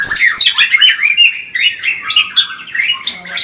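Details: Dense, excited white-rumped shama song of the pastol type, meant to provoke rival birds. High chattering whistles and chirps come in quick bursts, each lasting about half a second.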